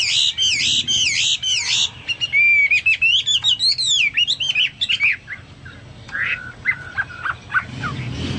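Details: Chinese hwamei singing prolifically, its song likened to a Papuan or golden bulbul: a fast dense burst of notes, then clear wavering whistles rising and falling, trailing into softer scattered notes.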